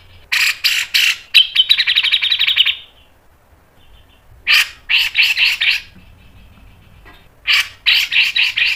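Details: Grey-cheeked bulbul's fast training song: harsh clipped bursts and a long rapid trill, a quiet gap, then two groups of four or five loud buzzy chirps.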